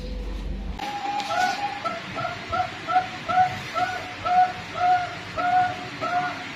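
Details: Male Bangkok-type zebra dove singing to stimulate a female: a steady series of soft, hooting coo notes repeated about twice a second over a constant background hum.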